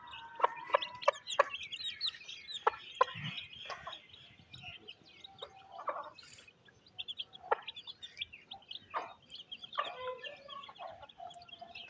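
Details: Mother hen with chicks at feeding time on a rainy village day in Pakistan; scattered clucks and pecking knocks mix with thin, high chick calls over soft background noise.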